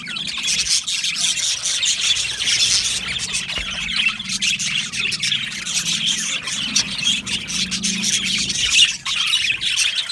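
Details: Australian budgies chattering in an aviary colony, a busy overlapping mix of high chirps, squeals and warbled notes, with a low hum faintly underneath.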